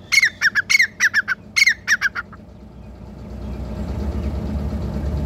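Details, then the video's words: Grey francolin (teetar) giving a rapid series of harsh, squawky paired notes for about two seconds, then stopping; a rising low rumbling noise fills the rest. "Grey Francolin | Teetar Ki Awaz | Teetar Voice | Full Video | تیتر کی آواز"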